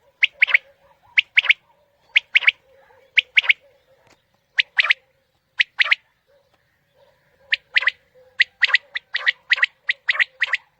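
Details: Batair calls used as a lure for morning hunting: a long run of sharp three-part phrases, a short note then a rapid double note, repeating roughly every second and growing denser toward the end over a faint hum.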